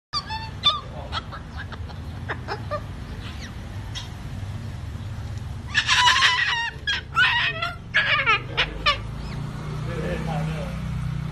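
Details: Triton cockatoo (Cacatua galerita triton), vocalizations.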